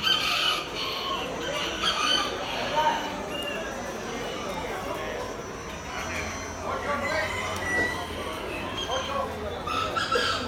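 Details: A brown red Aztec miniature rooster crows and hens cluck amid the busy chatter and clatter of a crowded poultry expo on 20 October 2019, with other birds calling throughout.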